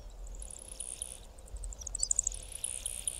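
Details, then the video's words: A male Yellow bishop displaying for females over grassland gives strange, insect-like, very high, thin sizzling calls, with a quick run of ticking pips midway, over a low wind rumble. "YELLOW BISHOP male's strange 'sizzling' display calls"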